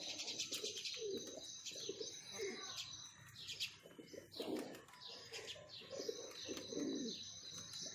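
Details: Pigeons of a breeding pair give low throaty coos in repeated bursts, over constant high-pitched chirping of many small birds.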